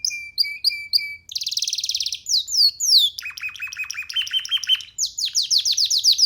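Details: Young free canary singing while perched on a person's hand indoors: a varied song of rapid repeated syllables, bright whistled notes, a fast buzzy trill, then downslurred chirps and sharp repeated phrases, with no other sounds.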